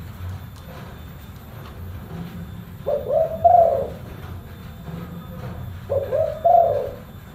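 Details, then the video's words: Spotted dove with a deep, bassy voice delivering two mellow cooing phrases about three seconds apart, each a brief note then a louder drawn-out coo, after a quiet opening, with constant low background hum. "TEKUKUR SUARA FULL BASS"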